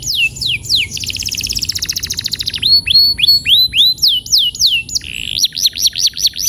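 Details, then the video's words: Male canary in full song, used as training to make a bird start rolling quickly: high downslurred whistles, a fast rattling trill, then looping notes repeated about three times a second, ending in quicker sweeps. "Kenari gacor‼️terapi burung kenari agar cepat ngeroll"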